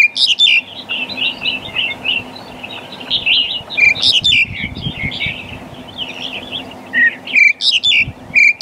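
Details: Black-collared starling calling in loud bursts of harsh, grating notes mixed with short whistles, repeated several times over a continuous layer of high, soft bird chatter and low rumbling noise.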